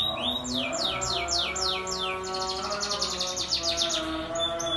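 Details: Caged pet canary in energetic song used as a lure to prompt other canaries to sing. It gives a series of loud, high downward-sweeping whistles, then a fast, even trill of rapid notes. A low steady hum runs underneath.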